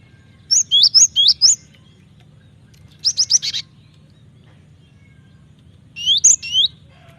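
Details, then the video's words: Training-lure recording of a Cinereous tit: three high whistled phrases, first a rapid run of five sliding notes, then a shorter burst of four, then another short phrase after a pause, over a low steady hum. "Pancingan suara burung gelatik batu gacor ampuh masteran suara burung gelatik batu gacor"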